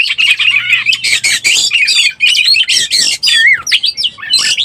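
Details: Oriental magpie-robin in breeding condition, recorded as a lure call: an unbroken, loud stream of harsh scratchy chatter mixed with quick whistled slurs, with a faint low hum during the opening second and a half.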